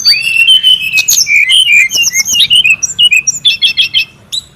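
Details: In the wild, a noisy brown-chested jungle flycatcher opens with a long rising whistle, runs through varied slurred notes, then ends with rapid repeated high chips.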